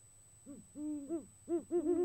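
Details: January courtship hooting of a male great horned owl toward a female: a short series of deep hoots, one drawn out, then quicker overlapping notes at slightly higher pitch close together.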